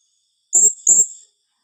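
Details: Blue-crowned hanging parrot in 'tembakan rapat' calling: one quick pair of loud, shrill, very high notes with a raspy undertone, the second following the first after a short gap.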